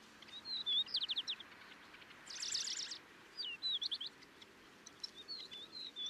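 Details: Song of a Middendorff's grasshopper warbler recorded in Kaohsiung, Taiwan, 25 May 2023: short high whistled slurs and quick trills in separate bursts, with a louder dense buzzy chatter in the middle and faint background hiss.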